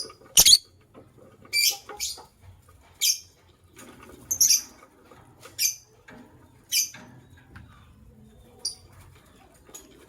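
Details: Harsh, piercing chirps from a pair of white lovebirds in the morning, rasping high bursts repeated about once a second, fading toward the end, in an otherwise quiet setting.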